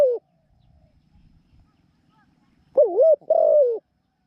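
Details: New decoy spotted dove used for trapping, noted for its small voice and frequent cooing: a brief coo, a pause with faint rustling, then two strong, wavering mid-pitched coo phrases.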